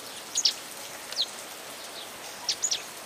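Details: Saffron finch singing to the sound of rain: sparse, short, sharp high chips in small pairs and singles, separated by pauses, over a steady hiss of rainfall.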